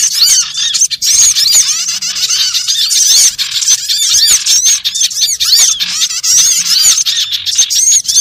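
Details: Small birds; lure calls; luring birds in for trapping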